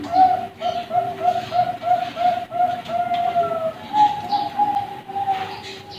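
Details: Young zebra doves, Bangkok type, at a bird farm: about eight quick, evenly spaced low coo pulses, then longer drawn-out cooing notes at a slightly higher pitch.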